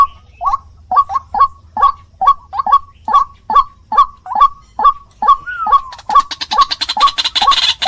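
White-breasted waterhen giving loud, croaking 'kru-ak' notes, repeated steadily about twice a second; a burst of harsh rustling noise joins near the end.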